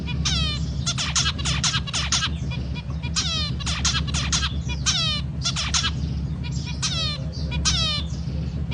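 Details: A zebra finch sings a fast string of buzzy, nasal, toy-trumpet notes in quick groups, while a steady low humming noise runs underneath.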